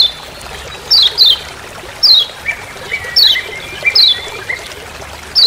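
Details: Lemon-bellied white-eye of Lombok calling "ciak ciak" in forest: scattered sharp falling chirps, some doubled, with faint lower whistles between them over a hissy background.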